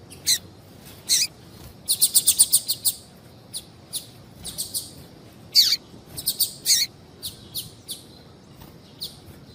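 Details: Female double-collared seedeater calling for males; sharp single chips and a rapid trill-like sequence of piping notes, with downslurred calls and paired chips scattered through the clip.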